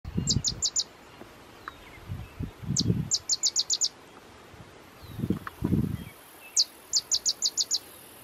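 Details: A state-endangered Sedge Wren singing on territory near its nest at Bafflin Sanctuary, Pomfret, Connecticut, in July 2018: three songs of a few high, dry notes, then a quick run of staccato chips, with low rumbling wind between phrases.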